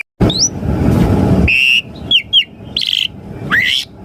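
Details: Asian pied starling song meant to make caged birds answer: after a burst of broadband noise, a few bright whistled notes, short hooked chirps and a buzzy harmonic note follow with pauses between.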